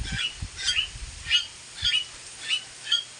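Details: Captive mynahs kept with crows utter a steady series of six harsh, high squawks spaced roughly every 0.6 seconds, with soft knocks underneath.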